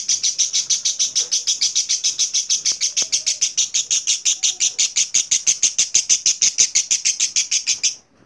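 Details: Long, clear ngekek from a lovebird: about eight seconds of evenly spaced, very fast, shrill buzzy notes, roughly three per second, in an unbroken run that stops abruptly.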